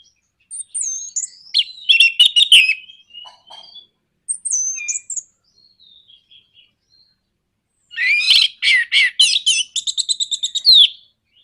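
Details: Caged orange-headed thrush singing to provoke rivals: clicking, scratchy phrases and high whistled slurs, a quiet pause, then a loud varied warble ending in a fast, steady trill of repeated notes.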